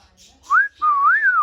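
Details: Parrot whistling: two clear, pure whistled notes, the first rising briefly, the second longer and wavering gently up and down before falling, in a quiet indoor setting.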